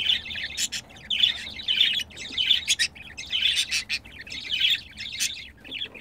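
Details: Two pet budgerigars mating, one giving a continuous busy warble of buzzy, grating notes and tiny whistles, broken by clicking ticks, with no pause across the whole stretch.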